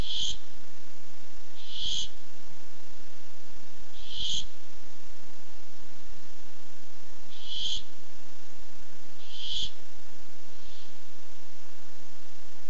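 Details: Barn owl coming by while looking for food, filmed on a nest camera on 8 July 2015; five short hissing, breathy bursts over twelve seconds, spaced about two to three seconds apart, with quiet between them.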